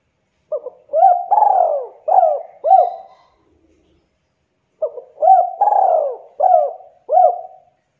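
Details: Javanese spotted dove (derkuku Jawa), a very vocal bird in KUK 2 style, delivering two dense cooing phrases: a short note, then mellow rising-falling coos with one long rolling middle note, separated by a pause.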